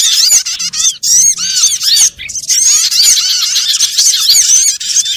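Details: Flock of small birds heard in a trapping lure: sharp, high arched chirps tumble over one another in a busy, continuous twitter, with a short dip in volume midway.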